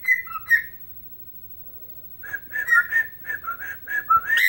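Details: Pet bird whistles its take on Chelsea Dagger as it dances; two clear whistled notes, a pause of about a second and a half, then a rapid string of bright rising and falling whistles.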